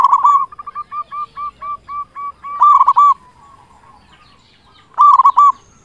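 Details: Local zebra dove singing loudly as a lure for other doves: a steady string of about a dozen short coos, then two loud rolling phrases of fast stuttered hoots roughly two seconds apart.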